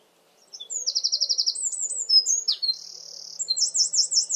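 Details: Eurasian wren singing in a garden, partly hidden: a loud, rapid, high-pitched run of trills and whistled notes, with fast buzzy rattles and a rolling trill near the end, delivered as one continuous burst.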